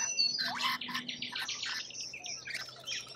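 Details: A lorikeet chorus from Australia: a fast series of raspy chirps, about four per second, then looser scattered screeches and a faint low hum behind.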